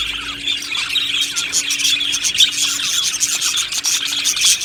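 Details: Aviary of happy budgerigars: a thick layer of high twittering and scratchy chirps from a crowd of birds, with occasional louder squeaks, and a steady faint hum in the background.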